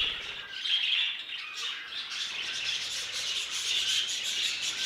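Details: Budgerigars of a new violet mutation, kept birds, giving a continuous high chattering warble with squeaky chirps and scratchy notes, several voices overlapping without pause.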